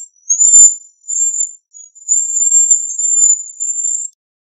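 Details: Cedar waxwing delivering long, thin, very high whistles, one stretched over nearly two seconds with a faint tremble, preceded by shorter high notes.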